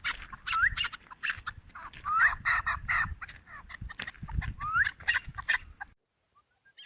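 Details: Chukar partridge, four years old, in Tajikistan in 2021: three short rising upslurred whistled notes spaced about two seconds apart, over rustling and clattering background noise, ending in near silence.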